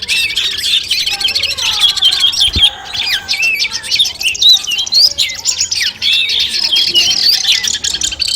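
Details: Long-tailed shrike song as competition training audio: rich, varied warbling with sliding whistles, rapid chatters and a brief downward swoop, phrases about twice per second.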